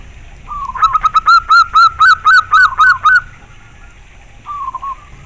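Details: Local Zebra dove, singing very clearly: a brief soft opening coo, then a rhythmic series of about ten clipped, mid-pitched cooing notes in a fast, even beat, followed by a quieter short phrase.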